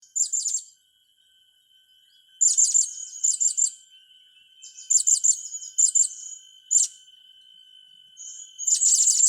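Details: Blue-crowned hanging parrot song, from a session training young birds: bursts of shrill, very high chattering notes come in short clusters separated by pauses, with a steady thin electronic-like tone running underneath throughout.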